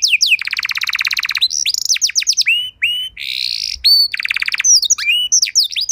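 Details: Canary singing a training song for other canaries: a long fast buzzy roll, then varied slurred whistles, a buzzy rasp, another rapid trill and a string of sharp descending notes.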